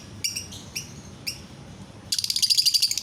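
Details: Lovebird song meant to get other lovebirds singing: three separate sharp high chirps, then a fast, buzzy chattering trill of rapid pulses running to the end.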